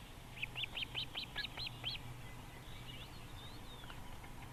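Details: Osprey calling at its nest in Võrumaa, South Estonia, in 2021: a quick burst of about eight sharp, arched, whistled cheeps, evenly spaced, then fainter chirping notes, over a low steady hum.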